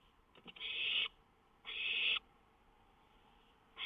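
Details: At 1:06 AM on 19 May 2013 an owl sits on a lookout near a songbird. Two long, rasping hisses, each about half a second, are followed by the start of a third.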